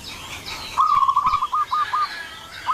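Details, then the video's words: Zebra dove call used as a lure to attract more zebra doves: a rolling run of short, low, evenly spaced coo notes lasting about a second and a half, with softer distant coos and background hiss. "suara pikat burung perkutut"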